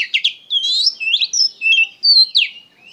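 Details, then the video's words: Oriental magpie-robin giving clear, loud whistled phrases: a sharp double note, then long sweeping rising and falling whistles and a descending slur, in a lively, emotional performance. "KACER GACOR PENUH EMOSI"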